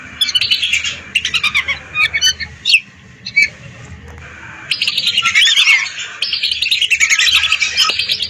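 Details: Lesser whistling ducks in a flock of hundreds, played to lure birds: scattered sharp whistled squeaks at first, a near-quiet pause, then the massed chorus of high chattering whistles returns loudly.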